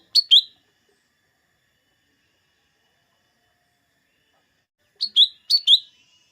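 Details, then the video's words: Lesser green leafbird, a recording used to stir green leafbirds into singing before contests: one crisp, high double chirp, a long silence, then two more paired chirps in quick succession, each falling slightly in pitch. "Suara burung cucak ijo mini atau cucak daun"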